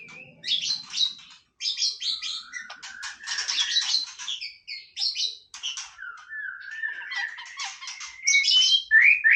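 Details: A white-rumped shama sings a fast, busy medley of chattering clicks, high buzzy notes and long slurred whistles, ending in louder sharp upward whistles.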